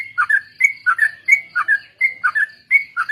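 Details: Sooty-headed bulbul lure song for training birds, ombyokan and ropel style: clear, evenly paced whistled phrases, each a level high note followed by a lower gurgling slur, repeated about every half second.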